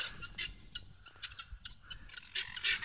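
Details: Noisy helmeted guineafowl kept at a cat sanctuary, where they eat ticks, give harsh, grating calls in quick, uneven bursts in the background.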